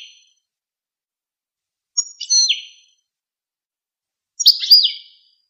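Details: Goldfinch song: two short separate phrases of high, sharp notes with a quick downward slur, about two seconds apart, with silence between.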